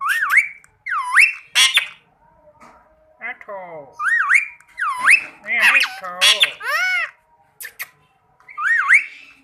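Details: Talking rose-ringed parakeet producing looping whistled notes that rise and dip, mixed with chattering, speech-like squawks and short clicks, indoors.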